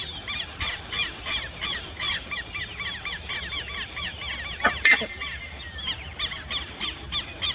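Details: Buff-necked ibis calling in a fast series of repeated nasal, metallic honks, steadily pulsed, with one louder burst midway.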